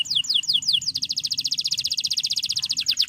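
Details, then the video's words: A male canary calls to a rival with a few quick descending whistles that flow into a long, very fast, even trill of high chirping notes. "Cuit Cuit Kenari Memanggil Lawan Ampuh Merangsang Bunyi Burung Kenari Ngeriwik Saja Biar Cepat Gacor"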